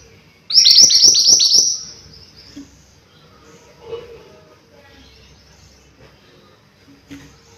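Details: High, thin and rapid twittering from a mountain white-eye, a burst of about five quick sweeping notes, then near silence with faint scattered sounds.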